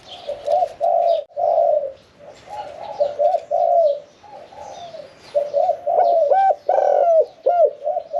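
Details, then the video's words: Spotted dove song in the "khan yon 1 kuk" style from a caged, medium-voiced bird: rolling coos at first, then loud distinct hoots with sharp downward bends near the end, other doves faintly cooing. "ฟังเสียงขันนกเขาใหญ่ { ขันโยน 1 กุก} ,{นกเสียงกลาง}"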